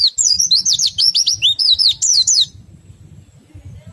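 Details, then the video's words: Rapid ngriwik twittering from an Oriental white-eye, meant to stir other white-eyes into song: about two and a half seconds of quick, looping, high squeaky notes, then a pause filled only by a low, pulsing background hum. "PLECI meriwik ngerol sambung nembak, sangat ampuh merangsang pleci ikut bunyi"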